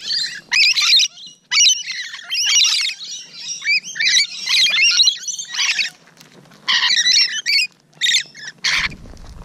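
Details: Close encounter with rainbow lorikeets on the morning of 12 June 2017: loud grating screeches in clustered bursts, separated by short gaps, ending with a sharp burst.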